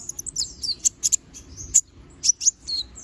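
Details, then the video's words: Lively little spiderhunter (konin) with sharp song variations: quick piercing chips and short downslurred whistles in uneven bursts of two or three notes. "Masteran Suara Burung Konin Gacor Bongkar Isian Suara Tajam"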